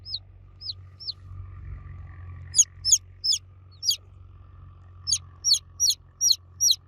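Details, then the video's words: Baby chicks cheeping loudly for the mother hen: high, thin, downward-sliding peeps, a few spaced notes and then rapid runs of about three per second, over a faint low hum. "Baby Chicks Chirping Sound For Kids Chicks Cheeping Loudly For Mother Hen"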